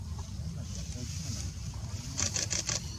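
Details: Amur stonechat at Shonan International Village, Japan, on 6 October 2016, gives four quick, hard clicking tacks in rapid succession over a steady low rumble of distant traffic.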